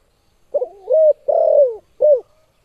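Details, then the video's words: Spotted dove, sharp competitive call: low stammered notes rising into a steady coo, a long coo sliding downward, then one brief falling coo, in a clean quiet setting. "Suara Burung Tekukur Suara TAJAM Menembus JANTUNG LAWAN"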